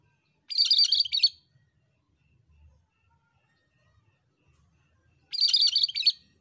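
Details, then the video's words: Singing cucak kerinci bulbul, recorded for a long session: two high, scratchy chattering phrases nearly five seconds apart, with quiet between. "BURUNG KURINCI ‼️MASTERAN BURUNG KERINCI GACOR DURASI PANJANG"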